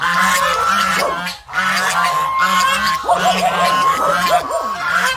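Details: Loud, nasal goose honks in rapid series, several birds calling over one another, a short gap near the second second before the honking resumes, and a faint steady tone behind.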